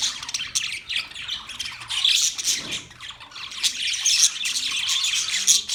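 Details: Budgerigars chirping: a dense, continuous chorus of high, scratchy warbles and squawky chirps, several birds overlapping with short rising and falling bursts throughout.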